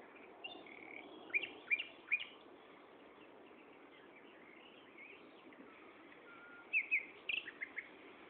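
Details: Common nightingale singing at Gaasperzoom on 16 May 2012 at 15.30: two bursts of short, sharp rising and falling notes, three quick strokes near the start and a tight cluster later, over steady broadband background hiss.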